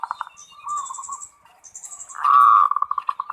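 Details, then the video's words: Local zebra dove 'ngerot' song with pulsed notes and a loud rolling burst easing into a rapid regular stutter, while high thin chirps of other small birds sound in the background. "SUARA PERKUTUT FULL NGEROT BIKIN NAIK BIRAHI NAIK"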